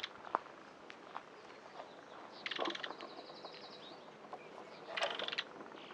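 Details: Chotoy spinetail song: two loud ratchet-like rattles spaced a few seconds apart, each a dense harsh burst, with scattered soft chips and quiet background in between.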